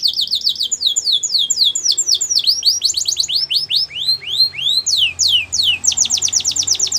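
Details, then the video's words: Canary song for training young birds to sing: continuous loud trills of swept high notes, shifting between rapid rolls and slower looping slurs, then a quick even trill at the end. "Your Canary Will Not Stop Singing With This Training Song"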